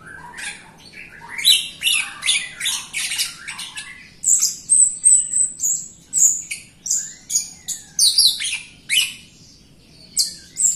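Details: Lively Jalak Rio myna song meant to spur other Jalak Rio birds and reluctant singers; rapid chattering bursts mixed with high drawn whistles, delivered almost without pause for ten seconds.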